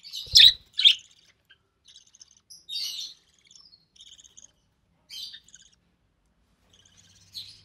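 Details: Budgerigar chick of the recessive pied type, born early June 2020, heard while its mother feeds it; two loud close chirps open, then softer scattered high buzzy notes with gaps, a faint low hum at the end.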